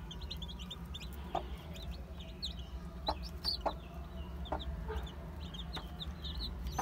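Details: Day-old chicks, named as Aseel, Heera, Java and Muska, chirp softly in high, short down-slurred notes. Occasional sharp taps break in, while a strong low hum dominates the background.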